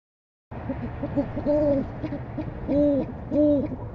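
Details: Female owl calling for dinner on January 22, 2015: three deep, smooth hoots with rounded, slightly arched tones, the last two longer and evenly spaced, over a steady low background hum.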